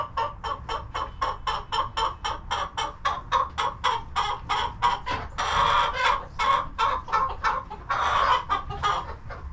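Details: Domestic chickens relaxing in their coop on a homestead, clucking steadily: a fast run of short, throaty clucks about four per second, with louder, fuller clucks bunching together near the middle and toward the end.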